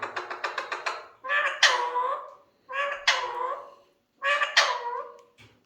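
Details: Male Alexandrine parakeet talking: a run of quick clipped notes, then three harmonic, speech-like phrases about a second long with rising and falling inflection, separated by short pauses.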